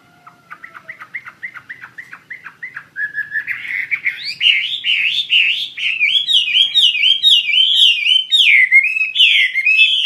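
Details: Chinese hwamei in persistent 'gacor' song, kept for tutoring other birds: opens with a quick run of short repeated chirps, then swells into loud, rich whistled phrases that rise and fall, tumbling continuously over ten seconds.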